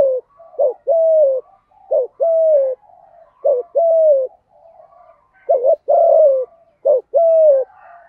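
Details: 'Thúc gù' driving coos from a lure spotted dove in 'giọng thổ' voice, used to provoke wild doves: a fast run of short clipped notes each followed by a steady slightly falling coo, about six phrases, soft chatter between.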